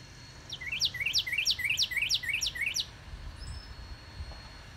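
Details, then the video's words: Northern cardinal in a yard on March 29, 2019, singing a fast string of about eight ringing slurred whistles that rise and drop steeply, then stops; a faint thin whistle follows in the quiet. "Our Yard Cardinal Sings"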